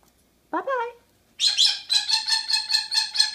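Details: Pet monk parakeet (Quaker parrot) talking: a short rising, voice-like phrase, then a fast run of harsh, rasping squawks repeated about four times a second without pause.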